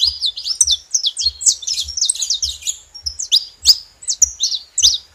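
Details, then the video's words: High, sharp saffron finch notes tumble out in quick chirpy phrases, then slow to spaced single downslurred chips, with soft low knocks in the background. "Canário da terra junto fazendo barulho"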